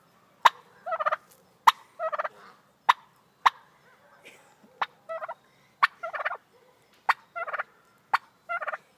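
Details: An attention-loving white domestic turkey hen gives sharp, hiccup-like clicks, each followed by a quick rattling gobble burst, repeating about once a second.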